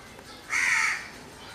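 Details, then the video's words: A single loud, rough crow caw lasting about half a second, with a quiet background before and after. "Crow bird sounds or noises."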